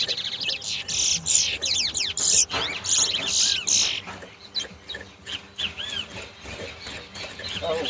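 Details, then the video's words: Large-billed seed finch, locally towa towa, singing in a 2022 competition bird race at Guyana's National Stadium bird ground; quick bright whistles and chirping phrases in fast bursts, overlapped by men talking nearby. "TOWA TOWA BIRD RACE"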